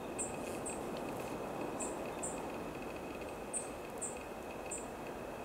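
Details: A black-faced bunting recorded in Chiba Prefecture, Japan, on 29 December 2020 gives thin, high, sharp 'tsip' notes, often in quick pairs, about every second over a steady rushing background hiss.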